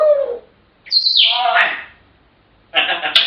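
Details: African grey parrot giving a sharp rising squawk, harsh noisy chatter and a final high burst, with brief pauses between.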